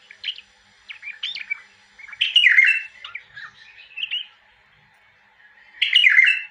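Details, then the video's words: Bulbul singing short, liquid warbled phrases with chattering notes, delivered in bursts separated by brief pauses, the loudest phrases near the start, middle and end; no other sounds besides faint background hum. "تغريد بلبل وطواط"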